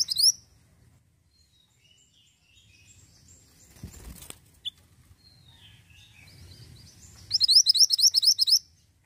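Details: Ashy tailorbird in full song: an opening flick of high notes, a quiet stretch with distant twittering and a rustle, then a fast run of about ten loud, evenly spaced rising chirps.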